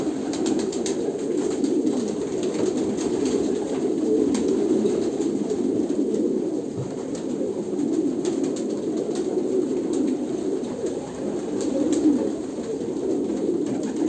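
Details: Long run of Kolkata pigeon cooing: a steady, low, burbling chorus rising and falling in waves, with faint rustling throughout.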